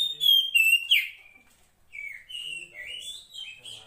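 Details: Oriental magpie-robin, a wild 'poci' female summoning the male, gives three loud rising and falling whistles, then a softer, wandering string of warbled notes.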